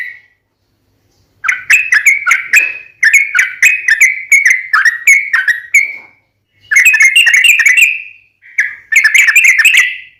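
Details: Sooty-headed bulbul delivering long rapid lure phrases meant to trigger answering song: bursts of quick, sharp whistled notes separated by pauses of about one second, the final bursts dense and chattering.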